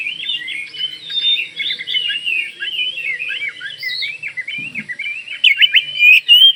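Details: Oriental magpie-robin of Kalimantan singing energetically to make other magpie-robins respond; a dense, steady chatter of slurred whistles, one rising note standing out, then louder clipped notes toward the end.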